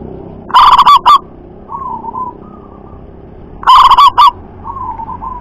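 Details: Local wild zebra dove noted for loud, shrill double-kuk song. It gives a pair of forceful stuttering coo bursts about three seconds apart, with quieter short coos between and after.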